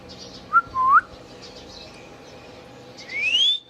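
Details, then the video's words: A pet Indian ringneck parakeet whistles: a quick low note and a short upward-curving whistle, then after a quiet gap a long clear whistle climbing high. "Indian Ringneck parrot natural sounds | Ringneck parakeets sounds video"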